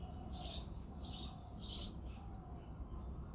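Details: Early morning in February, a male house sparrow sings with three quick, raspy chirps about half a second apart, then quieter twittering, against a steady low background drone.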